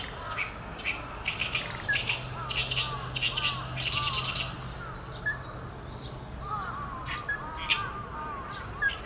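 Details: Ruddy-breasted crake, hikuina in Japanese, whose voice comes in two call types. Short arched notes at moderate pitch come in loose groups of two to four, with sharp higher clicks and ticks scattered between them over a steady low hum.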